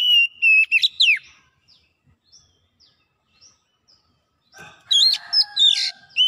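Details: Oriental magpie-robin (kacer) in fast gacor song with mimicked phrases: loud whistled slurs at first, faint chips in between, then a dense harsh, buzzy phrase with whistles near the end.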